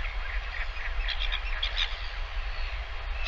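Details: Northern royal albatross chick fed lunch by a returning parent on a live nest camera, 20 August 2023; short bursts of squeaky, chirping calls clustered in the middle, over steady low wind rumble.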